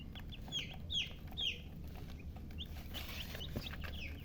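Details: Chicken chicks chirping, with a few bright, falling peeps early on, then softer scattered chirps over a steady low rumble.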